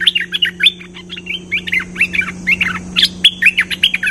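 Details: Cream-vented bulbul singing energetically for use as a lure: a continuous run of quick bubbly, warbling chirps, each note twisting up and down, packed several per second with barely a pause; a steady low hum sits underneath.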